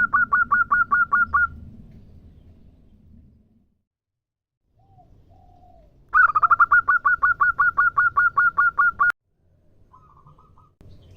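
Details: Female zebra dove of a local strain calling for a male. Brisk strings of short, ringing notes on one pitch: a brief run, a pause with soft faint sounds, then a longer loud run that stops abruptly.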